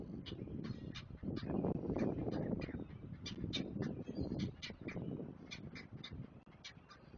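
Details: Great blue heron chicks begging while an adult feeds them at the nest: rapid, uneven volleys of harsh ticking notes, about four a second, over loud low rustling and rumbling from movement at the nest.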